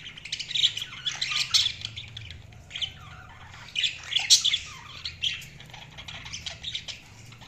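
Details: Budgerigars chirping: a busy, scratchy warble of quick chirps and short squawks, rising and falling in loudness, with a faint low hum behind.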